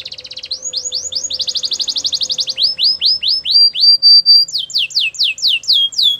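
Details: A Belgian canary's varied song: a fast rattle, slurred rising notes, a rapid even trill, then clear whistled arcs and sharp falling notes, with a faint steady low tone behind.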